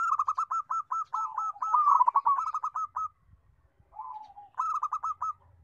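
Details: Local zebra dove with a loud, melodious voice delivers a long run of rapid, even cooing notes, briefly overlapped by a second lower line, then a soft falling coo and another quick staccato burst.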